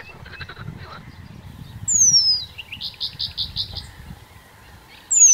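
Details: Eurasian penduline tit juveniles gather food along the shore of Zámecký pond, Chropyně, on 3 July 2019. Two sharp, thin descending whistles stand out clearly. Softer chatter and a short buzzy series of notes come from other birds.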